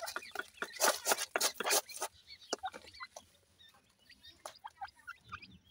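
Partridge chicks give short, high peeping chirps in quick, uneven bursts, with loud scratchy rustling at the start.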